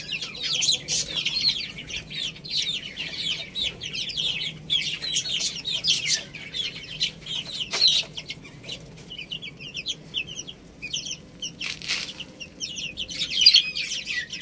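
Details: Young chickens peck at rice while a flock chirps steadily with thin, shrill, downward-slurred peeps, broken by occasional louder clicks and taps from feeding.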